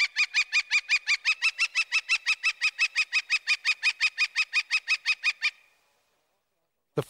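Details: Loud repetitious wick-wick series from a Northern Flicker, over thirty rapid, evenly spaced notes for about five and a half seconds, ending abruptly, followed by silence and a brief low thump.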